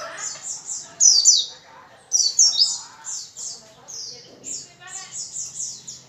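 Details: White-eye in gacor song, used to make other white-eyes sing; bright, high chirped notes strung in quick series, two louder twittering bursts near the start and a steady run of repeated notes afterward.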